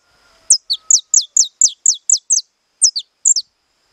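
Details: Saffron finch, a captive-bred bird, delivering 'estalado' song: a fast run of about nine sharp, high, descending snapped notes, a short pause, then three more clipped notes.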